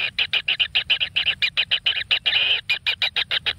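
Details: Nestling kingfishers in a natural nest, fed on frogs, calling insistently: a fast train of sharp, high, clipped begging notes, about six each second, briefly merging into a continuous squeal midway.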